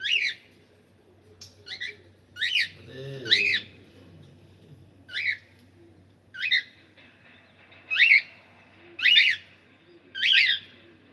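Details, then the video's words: Male cockatiel calling: short, harsh, harmonic chirps rising in pitch, given singly or in quick pairs about once a second, with a faint low hum underneath. "Male Cockatiel sound"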